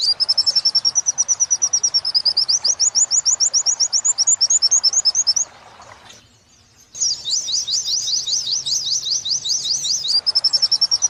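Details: Oriental white-eye training song for captive birds, wit-wit style joined to kuntilanak style. Long runs of rapid high chirps, a brief quiet break, a harsh buzzy trill, then chirping resumes.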